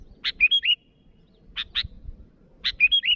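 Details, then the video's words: Sooty-headed bulbul calling to rivals: pairs of harsh chattering notes followed by short bright whistled phrases, the pattern given twice in a few seconds, with a low rumble underneath. "Suara burung Kutilang Gacor memanggil lawan"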